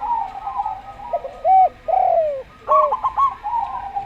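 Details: Slow local zebra dove song: a soft level note, two arched coos including a long descending one, then a fast stuttering cluster of short hooked notes, over a faint hum.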